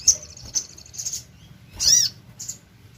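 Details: Sogon, or little spiderhunter, in full song as a lure for other birds. It gives high clipped chirps, then one loud, sweeping, arched note near the end and a short final chip.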